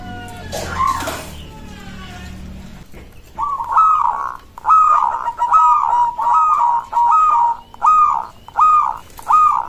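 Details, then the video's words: Local zebra dove song that other zebra doves respond to: after a brief unrelated noisy burst, a run of clear, staccato cooing phrases, each stuttering then holding steady, repeated roughly every 0.7 seconds. "Perkutut lokal suara ini disukai burung perkutut langsung nyaut"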